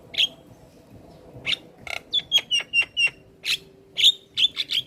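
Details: Head-bobbing black-winged starling in full song: scattered harsh chips give way to a quick, rhythmic string of clear, squeaky whistled notes, then more loud chirps.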